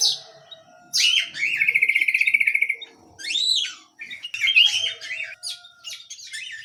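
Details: Small canary singing: a loud whistled note leading into a rapid pulsed trill of about a dozen beats, a rising-falling swoop, then quick varied twittering.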